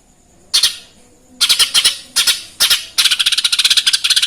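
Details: Lesser green leafbird in energetic song, imitating Eurasian tree sparrow: scattered harsh, buzzy chirps, then a rapid run of about fifteen scratchy notes filling the final second and a half.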